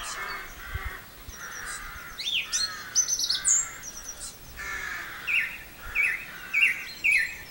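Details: Spring song of a song thrush, Campbeltown, April 2012: varied sharp whistles and squeaky phrases, then a short note repeated four or five times, set against a steady hum of distant birds.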